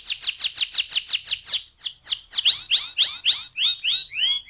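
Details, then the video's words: Canary in the 'ngeroll' rolling style, used to lure other canaries into song: quick, evenly repeated downslurred whistles, then slower, lower sweeping notes spaced about a third of a second apart. "PANCINGAN TERCEPAT dan SUKSES BIKIN KENARI GACOR NGEROLL"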